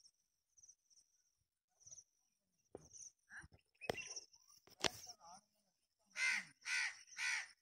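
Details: {'text': 'Black francolin heard behind scattered human voices and handling clicks, then three loud, harsh, rasping notes evenly spaced about half a second apart close the recording.'}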